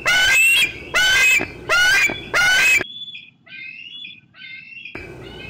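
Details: Bald eaglet squeeing near the nest on a June 2013 afternoon as an adult feeds on fish in an old tree: four loud, strident rising squeals, then softer, thinner chittering notes after a brief lull.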